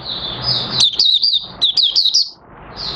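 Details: Oriental white-eye, recorded 30 August 2022 as it starts singing while new white feathers finish pigmenting; a short run of high, sweet down-slurred chirps in two quick clusters, then a fainter trailing note.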